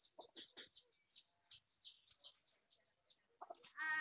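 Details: Hen foraging as a mother, with quick bright high-pitched peeps in a broken series, a few low clucks at the start, and a louder harsh call at the end.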